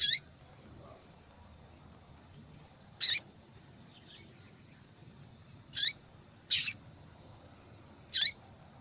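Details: A female yellow-bellied seedeater calls over and over to stimulate male singing: about five high, piercing chirps spaced irregularly over nine seconds, some with falling tails, one doubled, plus a faint softer note, over low hiss.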